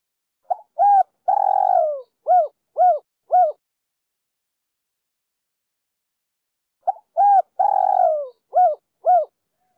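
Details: A spotted dove gives calls used to lure wild doves: two cooing phrases about six seconds apart, made of short hoots, a long drawn-out coo, then three clipped coos, with no other sounds.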